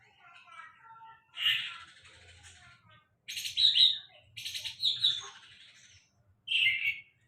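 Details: Song of a sulingan laut: loud, buzzy, chattering phrases with bright chirps, separated by short pauses, and a final sharp burst after a second of near silence.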